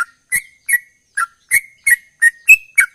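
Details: Chattering 'ropel' song of a sooty-headed bulbul, nine punchy whistled chirps in three seconds, alternating slightly rising and falling notes, one higher note near the end, clean background.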